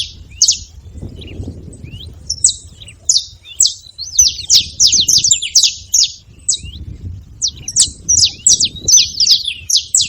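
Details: Saffron finch at a bait feeding spot, making noise: dense, irregular bursts of sharp, high chirps and short dry trills, tumbling over one another almost continuously, with a faint low rumble underneath.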